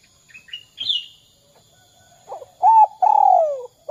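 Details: High thin chirps of a small bird open, then a spotted dove begins its lure phrase meant to get other doves calling: a soft note, a short coo and a long falling coo.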